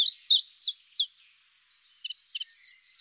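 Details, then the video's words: Common chiffchaff song: brisk, high, clipped notes alternating in pitch. A run of four notes, a short pause, then softer doubled ticks and further notes, with no other sounds. "chant du Pouillot véloce"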